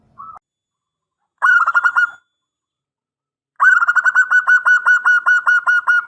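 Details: Local zebra dove, kept as a lively singer with a big voice, said to work as a lure that draws an answering call; a short note, then two runs of rapid, evenly pulsed mid-pitched cooing notes separated by silence.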